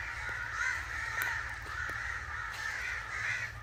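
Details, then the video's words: Angry crows calling in a thick, grating chorus of overlapping caws, several louder harsh notes standing out, with a low background drone. "Angry Crow Sounds"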